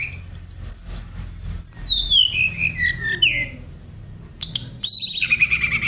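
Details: Oriental magpie-robin training song: pure whistled notes sliding steadily downward in a sequence, a quiet gap, then abrupt high chips and a buzzy, fluttering phrase.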